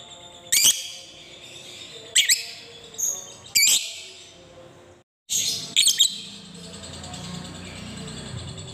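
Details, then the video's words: Lovebird calls, used as a lure to stir other lovebirds into ngekek singing: sharp, shrill chirps come singly or in quick doublets about every one to two seconds. A short silent gap falls midway, then low background noise follows. "pancingan Lovebird"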